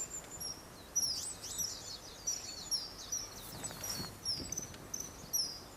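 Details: High, thin whistled calls from a perched male common kingfisher, recorded 14 March 2012, apparently calling a female; sharp short notes come in quick pairs and runs roughly every half second against faint outdoor noise.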